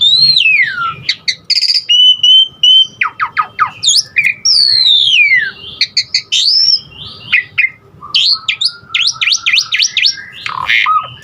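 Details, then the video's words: Asian pied starling pouring out a varied song to get other starlings singing: swooping whistles falling and rising, clusters of sharp clicks, long slurred squeals and rapid chip series, densely packed with barely a pause. "Jalak Suren Aneka Suara Isian Uniknya Bikin Burung Jalak Manapun lkut GACOR Full Isian VARIASI"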